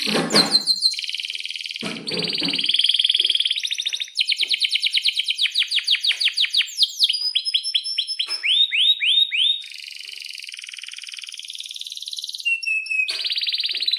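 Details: Breeding-condition canary, noted for long rolls and sharp 'cuit cuit' notes, used to coax other canaries to sing. Fast varied song of rapid chirp series, downslurred whistles, sustained buzzy rolls and a brief pure note.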